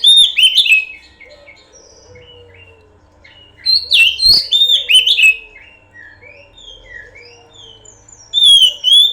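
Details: Oriental magpie-robin, known as kacer, giving a pancingan lure song: sharp whistled phrases and rapid chirps in irregular bursts, separated by softer scattered notes, over a faint low hum and a brief click.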